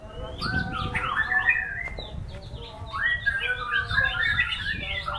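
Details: Songbird performance by a white-rumped shama: rich whistled phrases and warbles, a pause near two seconds, then a fresh burst of varied bright notes, with faint low rumble in the background.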